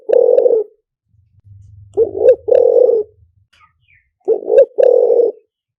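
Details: Spotted dove decoy song of the style called liu tan, used to lure wild doves in quickly: three burry coo phrases, each a short double note then a long hoarse coo, with a faint low hum between.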